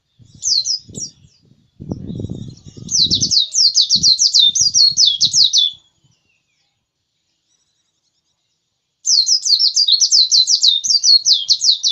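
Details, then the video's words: White-eye pushing out its song: a few high opening chirps, then a rapid run of twittering warbled notes, then a pause before another burst. Low knocking and rattling noises sound during the first half. "Pleci ngotot kicau"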